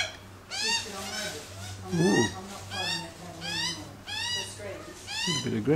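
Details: Australian magpies on a lawn feeding on bacon, calling in the family: rising, whining nasal calls repeated roughly every second, with a lower rough squawk between them.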